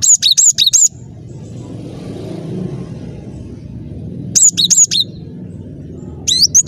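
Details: Lively cinereous tit song used to lure birds into traps: a fast phrase of high, swooping whistles, a long quiet stretch of low murmur, then the same phrase repeated twice more.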